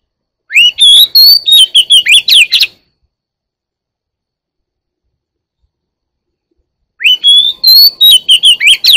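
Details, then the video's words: A 1-year-old Oriental magpie-robin sings two bursts of rich, varied whistled notes and quick rising slurs, about two seconds each, separated by a long silence. "beautiful 1 year old bird sings"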